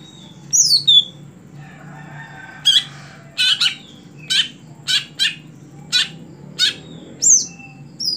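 Greater green leafbird: sharp, high down-slurred whistles, then a run of harsh, scratchy chattering notes about twice a second, over a low steady hum.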